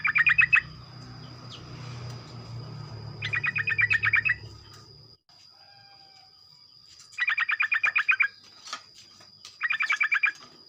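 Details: Sooty-headed bulbul singing in the morning to draw other bulbuls into rapid singing: four bursts of fast, evenly repeated chattering notes, each about a second long, over a low hum that fades midway and a steady high tone.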